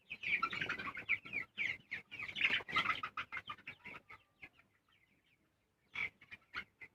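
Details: Broiler chickens of a coloured type: quick, high peeps tumble over one another in a busy flock chorus, then thin out to a few scattered chirps before a brief final burst.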